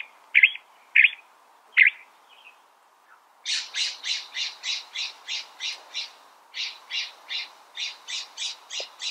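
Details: California thrasher song opening with three loud separate notes, then a long, even run of rapid repeated buzzy notes, paused once briefly before resuming at the same pace.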